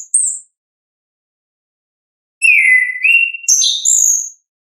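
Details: Orange-headed thrush singing, recorded as a lure for birds that are slow to sing: a brief high note, long pause, then a burst of slurred lower whistles followed by high squeaky twittering phrases.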